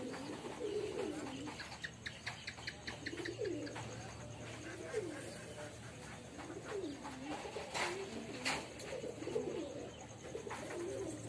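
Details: A male pigeon kept at home gives soft, throaty cooing phrases that rise and fall, repeated every second or two.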